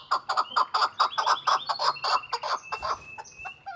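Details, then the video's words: Chukar giving rapid, harsh clucking notes, about four a second, hoarse and mid-pitched, with a thin high whistle from another bird running underneath. "Chukar | Нар кабки Шикор | keklik | Голос Куропатка | کبک فارمی"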